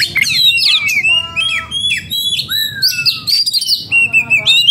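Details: Breeding-condition oriental magpie-robin singing agitatedly: loud, clear, varied whistles, sliding and stepped notes, a long falling whistle and quick scratchy phrases, nearly continuous with brief gaps.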